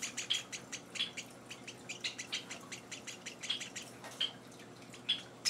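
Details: Young Java sparrows, hand-reared chicks on their fourth day at home, utter soft, scratchy high chirps in an uneven stream, with a few sharper, louder notes standing out against quiet room noise.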